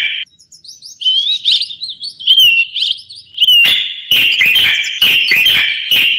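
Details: Common bulbul song with winding fluty whistles that rise and fall over several seconds, leading into a loud, rich, continuous warble interrupted by sharp clicking sounds.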